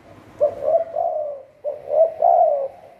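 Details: Spotted dove kept as a trapping decoy in Thailand. Two close cooing phrases are heard, each a short abrupt note leading into a long, warm, slightly descending coo.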